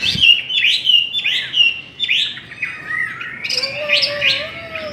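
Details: Chinese hwamei in a singing contest, quick rising whistled notes repeated in bursts, then a long low steady whistle running beneath brighter rapid phrases.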